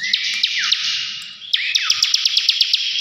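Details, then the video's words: Ngebren song of the ciblek, or bar-winged prinia: buzzy high reeling with a drooping whistle, a short lull, then a faster run of sharp ticks over the buzz. "CIBLEK NGEBREN GACOR"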